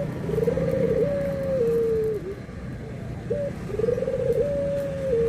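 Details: Barbary dove (puter), white and brown birds compared, giving anggungan cooing: a rolling, tremulous coo that levels into a long steady note and drops at the end, then a short clipped note, repeated twice over a low steady hum.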